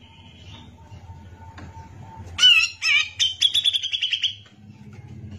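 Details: Grey-cheeked bulbul in vigorous gacor song, recorded as a tutor track: a few loud harsh notes, then a quick rattling string of short, bright, high chirps fading after about two seconds, with a low hum behind.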